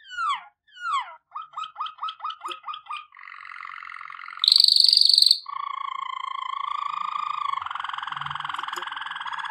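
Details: Waterslager canary song for training: falling whistled notes, a run of rapid downslurred chips, then a low bubbling water-like trill, a bright high rolling trill and long deep warbling rolls.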